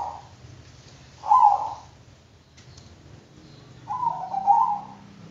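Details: Soft cooing from a Bangkok-type zebra dove: a brief note, a rolling coo, then after a pause a longer burbling double phrase, with a faint low background murmur.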